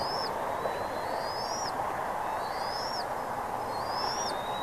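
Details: Bald eagle at Redding on the morning of 17 April 2021, 08:15. Three high, thin rising whistles, each ending in an abrupt drop, come about every one and a half seconds over constant hissing background noise.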